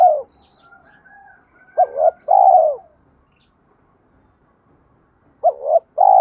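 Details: Spotted dove cooing as a challenge to fight: a long note, then a double note and a drawn-out hoarse coo, a few seconds of quiet, and the same phrase starting again.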